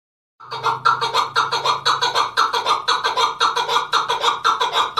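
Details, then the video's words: Keklik, the chukar partridge of Tajikistan's mountains, recorded in 2020, giving loud rhythmic chuckling calls. Doubled clucking bursts repeat about twice a second in a steady, rolling series. "Как поёт горная Куропатка,Каклик"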